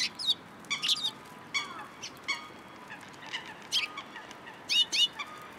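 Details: Busy twittering from sparrows gathered in a cherry tree at a Tenmangu shrine on 21 March 2023: rapid overlapping high chirps and squeaky notes follow one another almost without pause, loudest around five seconds.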